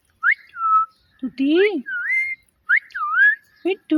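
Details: Talking pet parrot imitating words and a cat's meow, giving a run of looping whistled notes that rise and fall, broken by rich harmonic meow-like calls, each sound under a second long.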